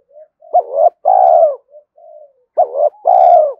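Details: Spotted dove giving two full coo phrases in quick succession, with gentle soft notes before and between them, each phrase a short wavering note then a long sustained coo.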